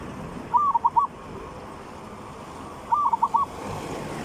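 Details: Zebra dove singing in the three-provinces style, a recording meant for luring birds: two phrases of four or five rapid, rolling coos about two and a half seconds apart, against soft steady background noise.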